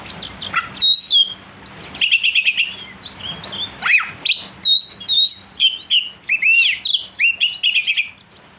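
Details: Oriental magpie-robin singing to provoke another kacer into aggressive song: dense bursts of rapid chattering trills mixed with sharp high whistles, delivered in quick succession with few gaps.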